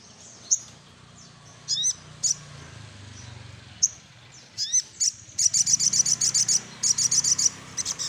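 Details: Little spiderhunter singing while seeking a rival: scattered thin high chips and a few upslurred notes, then fast rattling bursts of sharp repeated chips, almost four per second, over a low background hum.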